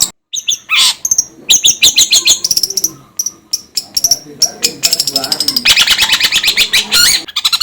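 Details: Long-tailed shrike delivering a dense, restless medley of chattering, squeaky and harsh notes with a few descending whistles, nearly continuous throughout.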